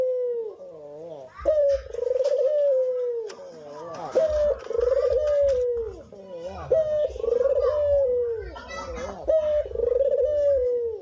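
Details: Actively singing cinnamon-headed green pigeon giving a series of mellow, wobbling whistles, each rising sharply, then sagging gently downward, linked by short trilled and stuttering notes in a steady pattern, with soft background rumble.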